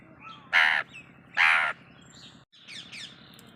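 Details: Pet Indian ringneck (rose-ringed parakeet) imitating a crow: two harsh, crow-like caws about a second apart, then softer squeaky chatter over a low steady hum.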